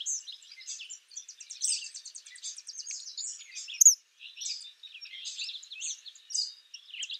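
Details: A wild Eastern Kingbird keeps up high, sputtering, buzzy twitters in quick bursts for several seconds, with a sharper squeak near the middle.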